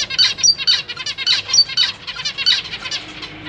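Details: Caged zebra finch family, parents feeding newly hatched and juvenile young, May 2023: continuous, crowded stream of bright nasal beeping calls, several birds overlapping, about two to three notes per second.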